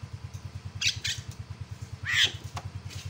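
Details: Myna calls used to provoke an opponent into calling: a few loud, harsh, rasping squawks with rising sweeps, the strongest near the middle, over a steady pulsing engine drone throughout.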